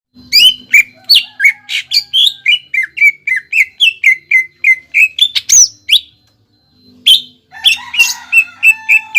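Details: Greater green leafbird song used to stimulate a caged bird to sing: a long run of loud, sharp whistled notes, each dropping in pitch, delivered several per second, a brief pause, then a burst of varied rising and falling whistles.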